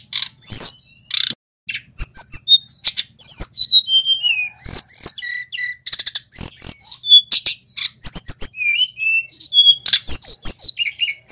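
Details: Local male Sunda robin (tledekan gunung) singing energetically, the sort of recording used to coax other caged birds into song: varied piercing whistles, buzzy slurs and quick tick notes that tumble in dense phrases, with brief pauses between bursts.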